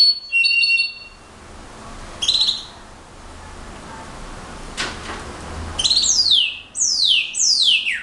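Slate-colored Solitaire singing: high, pure flutelike whistles in short bursts, then a run of quick, steeply falling slurred notes. Faint background hiss.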